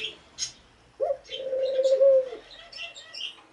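A low, soft coo from a Eurasian collared dove: a brief lead-in note, then a long, hollow, even tone. Thin high chirps from small birds come before and after.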